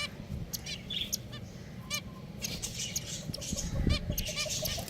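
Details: Finches kept as pets chatter in a flock, with brief bright nasal peeps and clicks tumbling over one another, and a low background hum.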